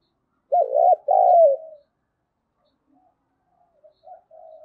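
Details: Spotted dove used as a decoy to provoke calling, in the 'giọng thổ' voice style. One loud two-part coo, followed by softer, more distant cooing notes near the end.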